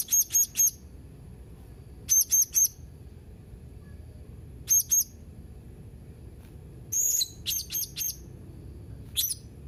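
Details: Blue-crowned hanging parrot, 31 March 2021: rapid clusters of two to four thin, high-pitched whistled chips, spaced a few seconds apart, one harsher burst near the end, over quiet low hum.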